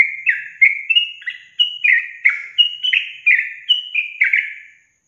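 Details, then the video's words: Yellow-vented bulbul (trucukan) song used as a lure to prompt caged birds to sing: a rapid chain of bubbly, slurred whistled phrases, each dipping then rising, about three per second, bright and clear with no other sounds. "Pancingan Trucukan SUSAH BUNYI, BAKALAN dijamin dalam menit saja langsung NYAUT GACOR"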